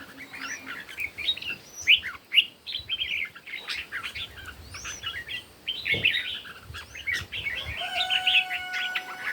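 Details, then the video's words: Red-whiskered bulbuls in a morning singing contest: busy overlapping chirps and short whistled phrases pouring out almost without pause, a faint steady tone entering near the end. "Chim Chào Mào Hót Đấu Buổi Sáng"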